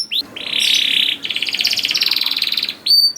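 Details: Canary song meant to prompt juvenile canaries to start singing: an upward-sweeping whistle, a dense buzzy roll, then a long pulsing trill of rapid notes closed by another rising whistle.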